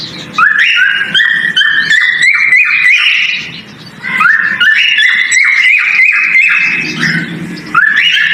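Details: Mating call of a male cockatiel during breeding: two long phrases of melodic whistles, each climbing stepwise in short connected notes, separated by a quiet gap.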